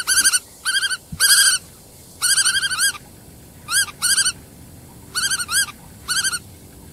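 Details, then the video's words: Repeated quick chattering series from a black-tailed godwit, clipped nasal notes grouped in twos and threes, steady and insistent. "黑尾鷸(黑尾塍鷸)/Black-tailed Godwit"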